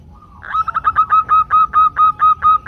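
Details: Female zebra dove calling for a male, a lure call for males. A soft lead-in note, then a fast stutter of short notes settling into about ten strong, evenly paced, ringing notes of fixed pitch.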